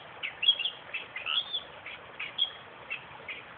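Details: Western reed warbler song from a suburban park 20 km south of Perth, a quick run of scratchy chattering notes and thin whistles, roughly evenly spaced but uneven in loudness.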